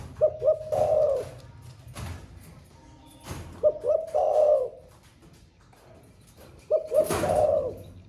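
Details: A spotted dove kept in a cage, thổ pha song style, newly begun cooing all day: three repeated phrases, twin short notes then a long hoarse coo, spaced about three seconds apart, with clicks and thumps.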